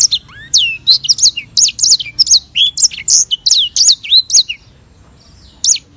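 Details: White-rumped seedeater (sanger) in long rolling song: rapid, high, sharply inflected whistles repeated in a dense run for over four seconds, then about a second of silence before one final note.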